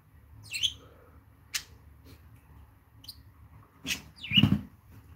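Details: Two pet budgerigars, a male and his mother, are heard in a room: a quick, high, bent chirp early on, a couple of clicks, then another sharp, rising-falling chirp with a low thump beneath it.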